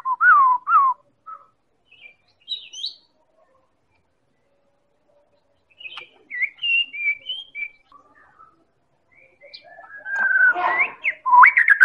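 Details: Lure song of a Medan-type white-rumped shama for making other birds sing: scattered looping whistles and high notes with long gaps, ending in a loud harsh warbled burst.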